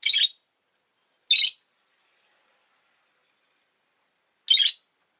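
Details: Two pet rosy-faced lovebirds huddled together at an entrance give three loud, harsh, buzzy chirps, each about a quarter second long, with long silent gaps between them.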